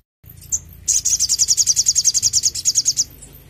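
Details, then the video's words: A crimson sunbird in full song, meant to stimulate captive birds: one sharp chip, then a two-second run of very high, quick, evenly pulsed notes forming a thin, sizzling trill. "sogon gacor cocok untuk masteran dan pancingan bunyi burung bahan"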